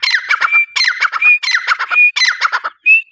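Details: Grey francolin, called teetar, calling loudly: a rhythmic phrase of chattering, clicking notes ending in a clear, sustained whistle, repeated four times in just over three seconds, with a final lone whistle.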